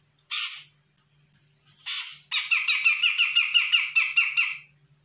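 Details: Grey-cheeked bulbul from Sumatra, a young bird answering a lure call: two harsh noisy bursts, then a fast run of about a dozen repeated buzzy chattering notes over roughly two seconds, with a faint low hum throughout.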